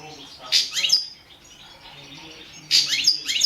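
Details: Competition goldfinch of the balcanica subspecies, caged, recorded for a 2017 world song championship in Serbia; two short bursts of sharp, high twittering notes about two seconds apart.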